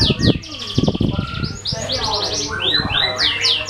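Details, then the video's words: Singing canary, used as a lure for other birds: trilled phrases and clear rising-falling whistles, broken by several low knocking thuds early on, over a faint steady hum. "Suara kenari buat pancingan burung lain"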